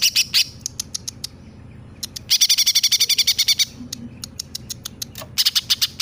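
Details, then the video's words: Greater green leafbird in full song, copying a sparrow then a 'tengkek buto'. Spaced sharp chips lead into a long, fast burst of piercing repeated chirps, then more scattered chips and a final chattering flurry. "Cucak Ijo Gacor nembak gereja sambung tengkek buto"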